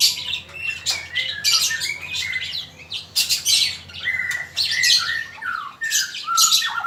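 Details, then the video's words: Male magpie-robin singing, used for training other songbirds: a rich, varied run of clear whistled phrases, slurred downward notes and harsh, scratchy bursts, delivered in quick succession, over a faint steady low hum. "Suara burung murai jantan"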